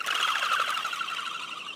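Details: Crested pigeon taking off near beachside tracks at Byron Bay, Australia. A fast, pulsing, siren-like whistle alternating in pitch at wingbeat pace, non-vocal and made by special wing feathers, which can prompt other crested pigeons to flee.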